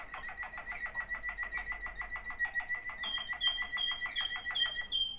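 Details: Waterslager canary, one of two sibling birds, delivering a steady run of rapid gurgling water-like notes with a sustained thin tone above, then bright high whistles joining.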